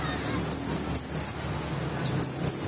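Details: White-eye from West Java with a grey-white breast and yellow stripe: quick series of very high, thin, down-slurred chirps in clusters, over steady low hum.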